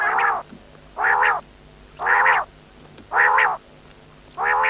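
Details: Loud quail call: a series of rasping, harmonic bursts, each about half a second long, repeated roughly every second with short quiet gaps between them.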